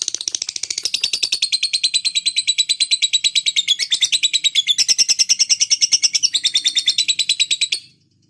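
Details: Fighter lovebird giving its 'ngetik' typing-style song: a fast, even, rattling chatter of high pulses, about ten per second, running unbroken for nearly eight seconds with slight shifts in pitch before stopping abruptly.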